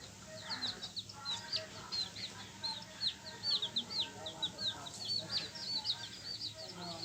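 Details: A group of yellow chicks gives shrill, falling peeps in a busy, continuous chorus, some notes sharper and louder, over a soft low background hum.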